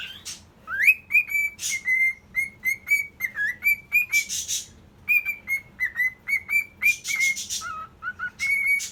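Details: Male cockatiel whistling to court a female: a run of clear, level whistled notes, some sliding up or down, repeated several times a second, broken by short broadband bursts.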